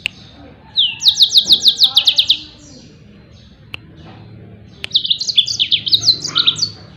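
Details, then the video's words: Yellow-fronted canary singing, a recording meant for training songbirds: a quick series of sharp upslurred chirps about three per second, then near silence with a couple of clicks, then a jumbled bright warbling phrase. "SUARA TEMBAKAN BURUNG MOZAMBIK || COCOK BUAT MASTERAN"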